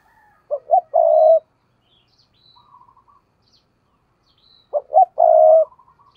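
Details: Spotted dove decoy bird cooing intensely in the "gù" style: two short clipped notes followed by a long, hollow, level coo, given twice with a quiet pause between and faint soft notes in the gap.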